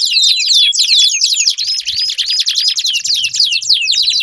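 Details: Canary singing as a lure for a canary that will not sing, a brisk run of bright falling and rising whistled notes repeated several times a second, with soft low rumbling underneath.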